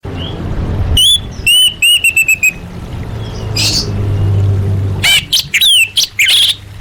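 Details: Female orange-headed thrush calling to males, a sound used to lure silent birds into singing: bright whistled notes with sharp overtones in a quick series of five, a short pause, then a rapid burst of squeaky chirps over low background hum.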